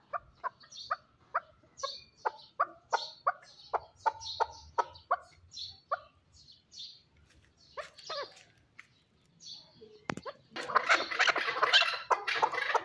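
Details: Chukar partridge, Shurobod: spaced, clipped chuk notes about three per second, pausing, then a loud noisy burst of overlapping calls near the end.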